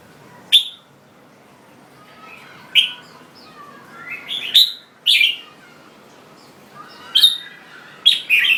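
A red-whiskered bulbul sings short, bright, bubbling phrases of a few quick notes, roughly every two seconds, over a quiet background.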